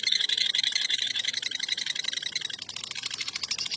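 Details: World-champion contest lovebird singing a fast, dense, high chattering trill of rapid pulses, steady throughout and rising slightly in pitch toward the end, with faint clicks underneath.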